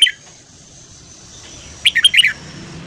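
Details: Red-whiskered bulbul morning song: one quick burst of four or five bright, warbled notes near the end, preceded by a brief chirp, over a steady faint high hiss and low rumble.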